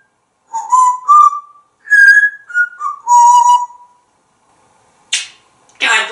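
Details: Male African grey parrot kept indoors in Texas whistles a short melody of clear tones that rise, fall and level off over three seconds, followed by two brief breathy spoken sounds; nothing else audible.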